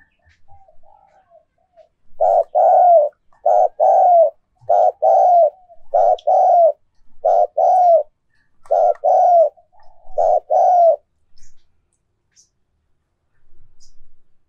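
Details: Decoy spotted dove song used to make doves coo more: soft murmurs, then a steady series of about nine loud, low, rolling coos, each under a second long, before quieting.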